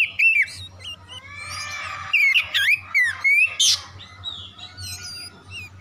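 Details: Oriental magpie-robin song, used as a lure to get silent magpie-robins singing: varied, rapid phrases of sharp whistles, slurred rising notes and harsh squawky bursts, mostly high-pitched, with a faint low hum beneath.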